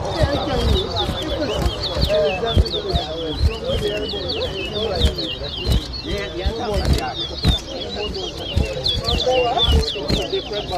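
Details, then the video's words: Competition singing by chestnut-bellied seed finches on Arrival Day 2023 at a bird ground in Diamond, Guyana. Fast, high, looping twittered notes repeat steadily throughout while a man counts the songs aloud and sharp knocks sound. "TOWA TOWA BIRD WHISTLING COMPETITION"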